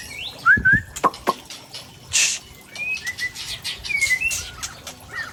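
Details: White-rumped shama from Tangse, Aceh, in a sparse passage of its rare fill-in repertoire: a few clear slurred whistles and sharp ticks separated by pauses, with a brief rushing noise.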